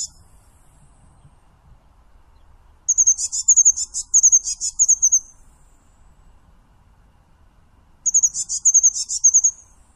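A Eurasian blue tit sings two very high, thin phrases of rapid trilled notes, about five seconds apart, over a quiet, still background.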